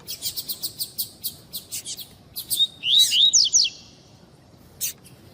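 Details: Female white-bellied seedeater (coleiro tui tui) calling to warm up a male and prompt his singing: a quick run of short high ticks, then thin whistled upslurs and buzzy notes, ending with a lone chirp.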